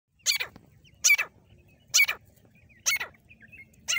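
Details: Female grey francolin calling near a village: loud, harsh bursts with quick falling sweeps. Five calls come in four seconds, roughly one a second, over a faint low rumble.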